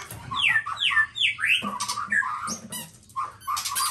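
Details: Black-tailed white-rumped shama of the Nias type singing loud, clear whistled phrases: three falling slurred whistles in a row, then a run of steady mid-pitched notes and short chattering bursts.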